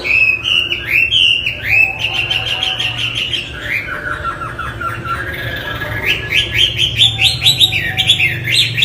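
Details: Chinese hwamei, a cage bird, singing varied phrases: looping whistles, a fast string of repeated notes, lower slurred calls mid-phrase, then rising whistles repeated quickly.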